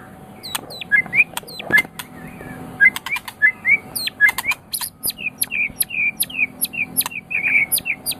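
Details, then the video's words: White-rumped shama, recorded as tutor song for pet songbirds: busy sequence of sharp clicks, high ticking notes and short warbled whistles, quickening toward a dense rapid chatter near the end. "Suara Burung Murai Batu"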